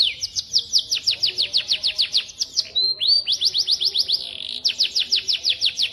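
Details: Tutor song of a white-rumped shama: quick, evenly spaced high downslurred whistles, interrupted by a brief lower rising note and a short buzz, then the rapid whistled series resumes.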